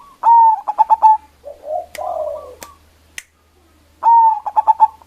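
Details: Strong-voiced local zebra dove singing as a lure to draw and agitate rivals: ringing coo phrases with quick stuttering beats open and close the stretch, a lower husky cooing between them, plus a few sharp clicks.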